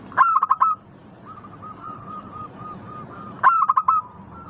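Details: Local zebra dove song, played to get birds cooing: a quick burst of clipped notes, then a soft, steady, low trill of cooing notes, repeated after about three seconds, over faint background hiss.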